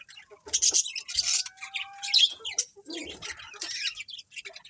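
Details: Budgerigar colony chatter, scratchy chirps and squawks from several birds, with one thin, steady whistled tone held briefly in the middle and softer warbling toward the end.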